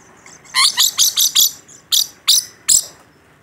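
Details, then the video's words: Rainbow lorikeet, a caged bird described as in full voice, giving a rapid run of harsh, sharp screeches, five close together then three more spaced out. "Suara Burung Nuri Pelangi Gacor"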